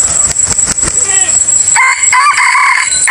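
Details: Decoy chicken crowing to lure others for the 2023 hunting season: a harsh, harmonic crow with a wavering middle note fills the second half, after clucking sounds, over a steady high-pitched whine.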